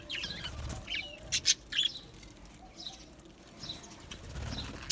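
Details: Budgerigars chirping: scattered high warbling chirps and twittery notes from several birds, with wing flutters and soft low thumps in between.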